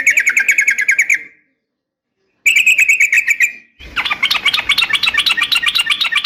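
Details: Calling female yellow-vented bulbul aimed at a male: two rapid trilled strings of bright notes separated by a gap, then a dense jumbled chatter of many overlapping notes filling the last seconds.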